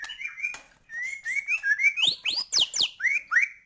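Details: Murai batu, or white-rumped shama, singing 'gacor' full 'isian' to excite other birds: smooth rising whistles, then loud high sweeping notes and steep downward slurs in a quick, bouncy sequence.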